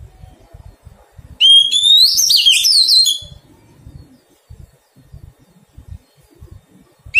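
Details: Oriental magpie-robin, wild-caught and being tamed, delivers one loud phrase. A rising whistle leads into tumbling, scratchy warbles lasting under two seconds, and another phrase begins at the very end. Light knocking sounds come between phrases.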